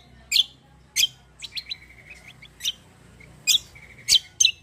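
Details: Black-winged myna in fighting mode, singing a rolling song. Loud harsh screeches alternate with a thin run of short whistled notes and a low steady hum.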